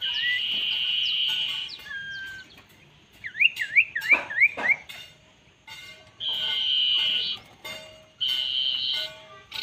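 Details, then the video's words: Fierce common iora responding to a decoy bird: long, steady high whistles lasting about a second each, separated by a run of quick zigzag chirps and short sharp notes, with some background twittering. "DENAK BURUNG KUNYIT KECIL YANG GARANG"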